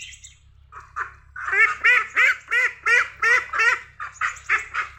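A duck gives a rapid series of harsh, nasal quacks, about three per second, loud and evenly paced after a few quieter opening notes.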